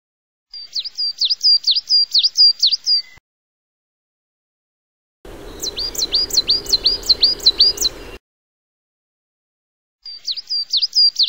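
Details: Coal tit singing: three bursts of high, repeated two-note phrases, each a quick sharp dip then rise, about six to eight per burst, separated by silences, the middle burst over a rushing background noise.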